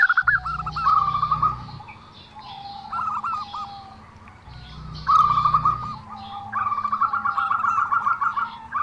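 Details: Zebra dove with an odd call: trilled cooing bursts of fast repeated notes, pausing between phrases, with low droning noise at times.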